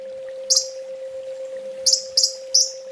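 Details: Sunbird tutor recording for training kept birds: a few short, very high chirps with brief buzzy trills, spaced irregularly over a steady low electrical hum.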